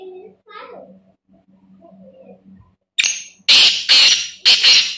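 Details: A black francolin gives loud, harsh, grating bursts of call after faint voices; the call is said to draw in other francolins.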